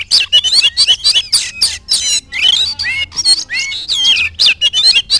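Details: Oriental magpie-robin, a singing bird meeting a rival and bursting into song at once; dense run of loud, varied whistles, sweeps and harsh chattering notes in quick succession, with a low hum underneath.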